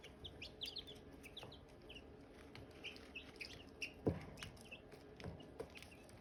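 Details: Silkie chicks and hatching eggs, clusters of quick high peeps in the opening seconds then sparser chirps, with sharp clicks and knocks and a steady low hum.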